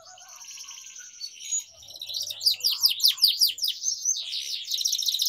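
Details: Canary song used as training for young canaries learning to sing. A soft, buzzy warble opens and builds into loud, rapid downslurred notes repeated about two or three times a second, then a dense high trill.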